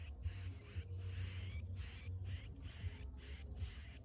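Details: Mountain prinia, known locally as ciblek gunung, singing at the end of the season: rapid high buzzy bursts, each about half a second long, repeated without pause over a steady low hum.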